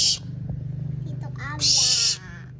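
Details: A young, captive barn owl (Tyto alba), taken from the forest and being tamed, gives two harsh, breathy hissing screeches about a second and a half apart at midday resting time, over a man talking and a low hum.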